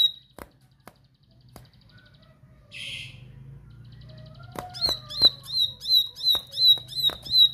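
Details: Quiet stretch with scattered clicks and a short hiss, then an insistent bar-winged prinia begins rapid high, ringing notes repeated about twice a second with clicks between them.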